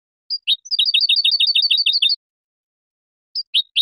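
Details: Spanish goldfinch song recorded in 2020 for teaching young birds and competition: a fast, even chain of high twittering, tinkling notes for under two seconds, a pause, then a few sharp chirps. Quiet background.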